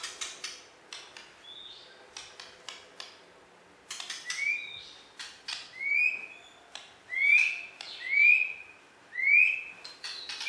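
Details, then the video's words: Borneo white-rumped shama, a champion contest bird from West Kalimantan, Indonesia, gives a series of loud upslurred whistles roughly once a second, mixed with sharp clicking notes. "Video Burung Murai Batu Borneo Juara Di KalBar"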